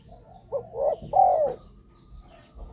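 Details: Soft hollow three-note coo of a spotted dove, a sound used to draw wild doves to decoys on the ground, a branch or a trap cage, followed by near silence.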